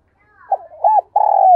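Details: A single cooing phrase from a spotted dove used as a decoy, calling to urge a response: soft wavering notes leading into a hooked coo and a long, steady, slightly falling drawn-out coo.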